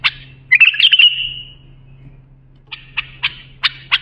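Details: A bulbul sings, meant for training young bulbuls: one sharp note, then a rich warbled phrase with a fading tail, silence, and four or five clipped notes spaced apart; faint low hum throughout.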